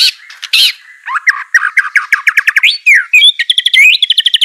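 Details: White-rumped shama in full song for training a reluctant singer: a few loud chips, a steady whistle, then a quick series of rising slurred notes that speeds up into high repeated twitters.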